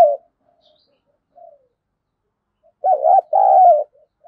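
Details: Spotted dove giving a 'thúc gù' cooing call used to lure wild doves: a few soft short coos, then two loud, low, hollow coos in quick succession near the end, with faint follow-up notes in a quiet background.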